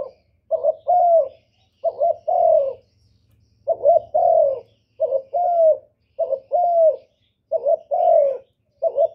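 A spotted dove gives a soft, low cooing: a short note, then a longer, drawn-out coo that falls slightly, repeated steadily every second or so.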